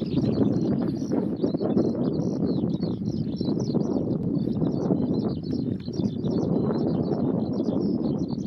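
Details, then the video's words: Male Eurasian skylark (Alauda arvensis japonica) singing while hovering to claim territory over a fallow field in Japan, cloudy windy midmorning, mid-June 2022: unbroken rapid high chirruping and trilling under a low wind rumble. "Eurasian Skylark Singing"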